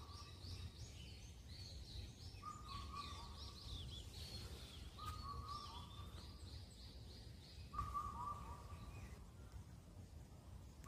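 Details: Indian cuckoo, Cheonmasan, Incheon, Korea, calling all night at the end of spring: several four-note whistled phrases, steady and evenly spaced, the last note lower, beneath a busy chorus of chirping small birds.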